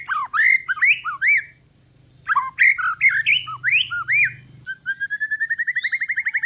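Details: Male white-rumped shama, one year old, of Aceh forest stock, kept as a caged bird to prompt lazy shamas to sing: rich bursts of whistled, bending notes in two phrases, ending in a fast even trill of rising notes.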